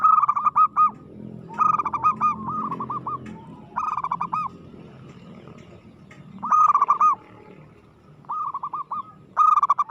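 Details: Local zebra dove in aggressive song, delivering bursts of quick, clipped cooing notes that trail into a fuller closing coo, with phrases coming in clusters and a few seconds of pause between groups.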